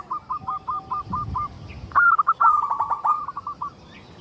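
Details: Zebra dove singing to lure others of its kind; a softer run of evenly spaced notes followed by a louder, rapid rolling burst of coos, with some low rumbling noise underneath.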